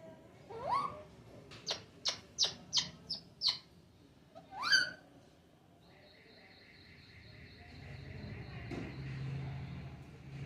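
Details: Pet parrot at home giving a series of sharp repeated squawk-like calls, about six in two seconds, then one longer call, followed by a steady mechanical hum and faint background noise.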